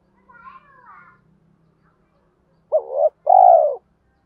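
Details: Spotted dove lure bird with a deep 'thổ' voice. Faint twittering and a low hum come first, then a loud phrase of a short rising note followed by a sustained, steady coo.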